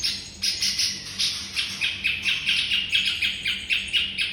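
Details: White-rumped shama singing as a master for training songbirds: brisk, rattling runs of sharp, bright chirps with varied pitch, several each second, over a faint steady low hum.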